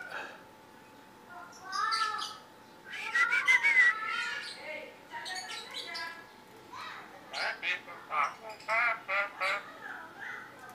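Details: Tame yellow-eyed Javan myna that can talk gives harsh squawks and whistled, speech-like phrases in choppy bursts, with a person's voice nearby.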